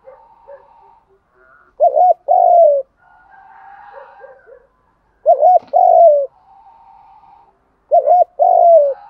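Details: Spotted doves, male and female, in the 'kích bổi' coo for dove training: three phrases about every three seconds, a quick wavering note then a drawn-out falling coo, over faint steady background chirping.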